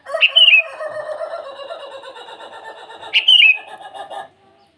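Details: Sooty-headed bulbul singing to call rivals in the morning; two short bubbly phrases three seconds apart over a steady lower chattering, buzzing background.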